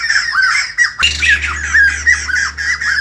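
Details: Short burst of morning song from a white-crested laughingthrush: loud, fast, cackling phrases that bend up and down, with a steady low hum starting partway through.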